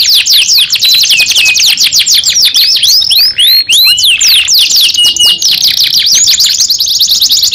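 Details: Young canary song: rapid shrill trills of downward-sweeping notes alternating with a few looping whistles, loud and continuous throughout.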